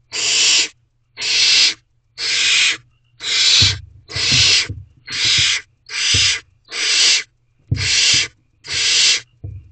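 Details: Barn owl chicks inside a nest box, late evening of 2 May 2023, excited as food arrives: ten steady, rasping hiss-screeches about one per second, with bumping and scuffling noises underneath.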